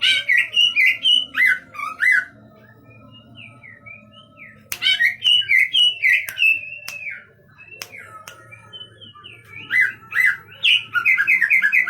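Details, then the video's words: Large greater green leafbird from East Java: bursts of rich whistled and warbled phrases with quick slurs and chirps, separated by quieter gaps with scattered soft notes, sharp clicks and a low steady hum. "Burung Cucak Ijo Body Big (Jatim)"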